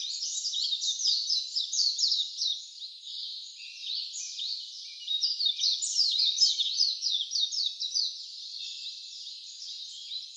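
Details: Wild birds chirping beside a mountain stream on the Sengataki Seseragi trail in Karuizawa, Nagano, Japan: fast, high twittering phrases of rapid repeated notes run almost without pause, with a steady high hiss beneath.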